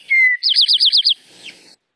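Eastern Towhee song: a clear, slightly falling whistled note, then a quick ringing trill of about six notes, the classic "drink-your-tea" pattern, followed by faint rustling.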